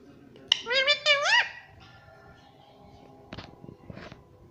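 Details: Pet parrot calling indoors: a short pair of loud, nasal, wavering syllables in the first seconds, followed by a low hum and faint tapping.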